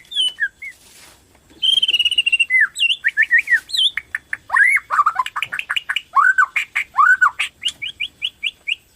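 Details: Borneo white-rumped shama in strong song, meant to provoke other shamas into singing: a long steady whistle, then rising and falling whistled phrases and a dense rapid string of sharp notes.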